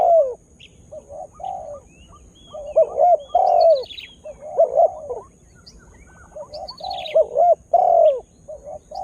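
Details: Spotted dove serving as a lure bird to provoke wild birds, just starting to coo; low mellow hooting phrases of short notes ending in a drawn-out falling coo, repeated several times, with faint high chirping from small birds behind.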